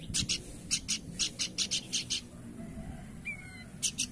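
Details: Horsfield's babbler rattling off around eight scratchy high notes at a brisk pace, followed by a short pause, a faint thin whistle and two final notes, over low background noise.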